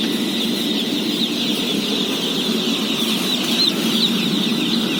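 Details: Thousands of day-old chicks calling while being fed, from a house holding 17,000: a packed, even blanket of piercing peeps with no pauses, backed by a low droning rumble.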